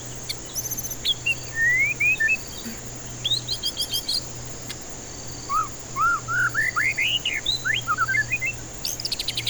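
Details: White-rumped shama song, used as a lure for stressed birds that won't sing: rising whistled slurs, quick pulsed bursts, then a long sequence of ascending arched whistles climbing in pitch, ending in rapid high trills over a steady hum.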